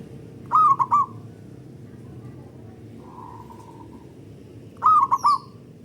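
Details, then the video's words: A local zebra dove (perkutut) gives two loud, long bursts of its song, about four seconds apart, each of short cooing notes running into a stuttering trill, with a faint hum between. "Pancingan Burung Perkutut Lokal Gacor Dor Bersaut Sautan $uara Keras Panjang"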